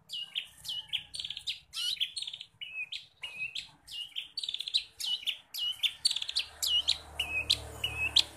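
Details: Long-tailed shrike singing a varied song crowded with imitated forest-bird phrases, a training track for caged shrikes: repeated sharp falling whistles and short buzzy trills in steady succession, over a faint low hum.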